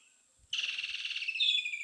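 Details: Woodland Kingfisher calling at an African waterhole in late November, one answering another: a single note then a loud, fast, rattling trill running over a second and dipping at the end, after a thin insect whine.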